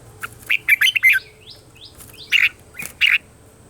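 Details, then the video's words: Red-whiskered bulbul morning training song: a series of loud, harsh, squawky warbled phrases in quick succession, with fainter downslurred chirps between them. "Luyện giọng cho chào mào hót sáng"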